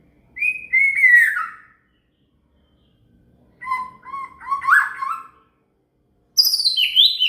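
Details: Shama song used as tutoring material for a cililin: three separate clean whistled phrases, the first falling from high to lower notes, the second stepping and warbling, the last starting very high and dropping, with silent pauses between.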